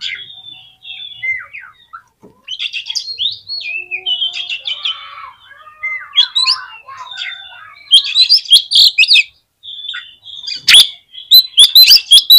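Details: Oriental magpie-robin (kacer) lure song meant to excite other magpie-robins: a long, rambling sequence of varied whistles, buzzy notes and chatters, growing louder and denser in the second half with sharp clicks.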